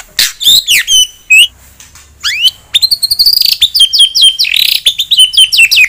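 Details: White-rumped shama singing to provoke a rival bird: high, sharply slurred whistles and ticks, then a rapid chattering run of varied high notes.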